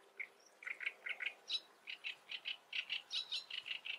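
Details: Great reed warbler (Acrocephalus arundinaceus) song: harsh, chattering notes repeated in quick pairs and triplets, about five per second, loud against a quiet background.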